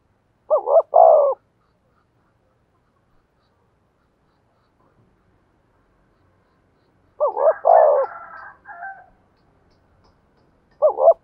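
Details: Spotted dove used as a decoy, singing in the 'giọng thổ' style. Short two-note hoots are followed by a drawn-out coo. The phrases repeat after long silent pauses, with a third phrase starting at the end.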